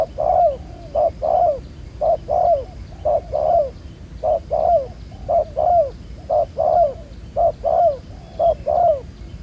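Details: Field-caught spotted dove with black spotting on the neck, cooing well in a ground-decoy trapping setting; rhythmic low coos in short-long pairs, repeated roughly each second, with faint high ticks.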